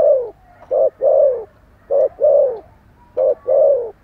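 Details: Spotted dove, Thổ Sấm in Vietnamese, calling and cooing vigorously: three loud low coo phrases, each a short clipped note followed by a longer, slightly falling hoarse coo, repeated about every one and a half seconds in a quiet setting.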